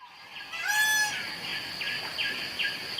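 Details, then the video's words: An Indian peafowl (peacock) gives a single loud, strident scream, nasal and brassy, lasting about half a second. A steady high insect hum and a few short chirps sit behind it. "the Peafowl birds peacock call"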